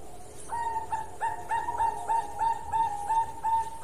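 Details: Zebra dove of the Bangkok type singing its long song, a steady series of short, bright, ringing coos repeated roughly three times per second at an even pitch.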